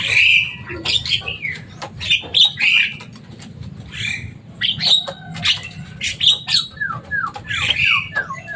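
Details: Captive Javan myna, a loud, noisy bird said to mimic human speech, giving a rapid mix of harsh squawks, chattering notes and short downslurred whistles, with steady low hum behind.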